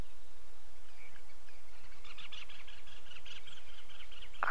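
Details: On a sunrise safari drive on 23 November 2016, a cuckoo thought to be a great spotted cuckoo, seen flying and moving ahead, gives a run of harsh, rasping chattering notes over a low engine rumble.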